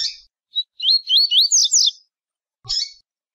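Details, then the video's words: Rusty-collared seedeater delivering a Tui Tui song: a harsh opening note, a short whistle, then five or six rapid curling whistled notes climbing to scratchy high ends, followed by one more rasping note. "Coleiro Tui Tui"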